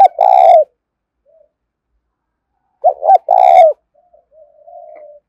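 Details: Loud, close spotted dove cooing of the THÚC type for luring wild doves: a long rolling coo, then a phrase of two short notes and a long coo, followed by soft trailing murmurs.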